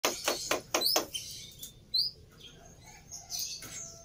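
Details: Black-winged myna in lively gacor singing, used as a lure to get other birds singing: a fast burst of sharp, dry clicks in the first second, then thin high whistles and faint scratchy notes.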